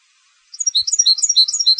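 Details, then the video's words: Brief burst of European goldfinch competition song: lively, irregular high chirps and tinkling notes tumbling quickly after a moment of silence. "Canto del Jilguero de Concurso"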